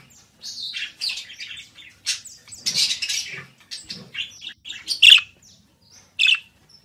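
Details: Budgerigar singing a lively, varied warble of short chirps, clicks and squeaky notes strung together without pause, ending in two sharp, louder squeaks.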